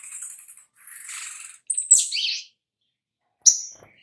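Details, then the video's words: Oriental magpie-robin lure sound to make birds sing: soft rustling twitter, then a sharp high whistle sliding into a scratchy phrase, and a final bright chip. "Pancingan SOGOK ONTONG Biar NYAUT GACOR || Pancingan Sogon biar Bunyi"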